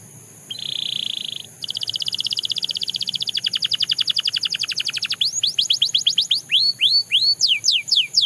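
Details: Belgian canary opening with a flat, buzzy held note, then a long, fast, rolling trill that gradually drops lower, followed by slower, widely spaced falling whistles.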